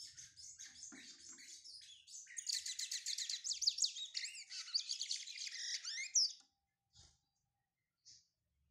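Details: Brown (pardo) Lined Seedeater warming up its song: a fast, dense run of high twittering notes and buzzy trills building from sparse chirps, then ending abruptly with two short notes after a pause.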